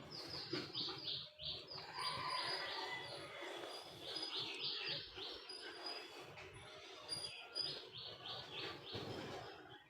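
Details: Noisy chickens calling in a courtyard pen in the morning, kept shut in against jackals and dogs before release, one hen sick and listless: rapid, high, falling peeps several times a second, with a woman's voice at moments.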